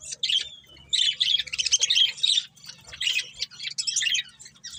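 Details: Budgerigars of a breeding pair chattering loudly: a downslurred whistle, then dense raspy warbling and chirps nearly without a break, with busy scratchy notes throughout.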